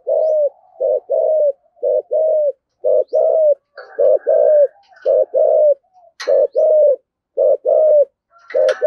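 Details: Spotted dove singing in the 'thổ sấm' style with 'thúc gù' cooing. Rhythmic series of low two-part coos, short then long and softly falling, with a few faint knocks and clicks in the background.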